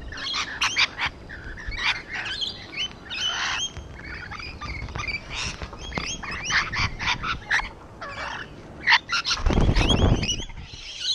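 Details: A flock of rainbow lorikeets on a wall keeps up rapid, clicking, scratchy chatter with short squawks several times a second over eleven seconds, and a thud of low noise near the end.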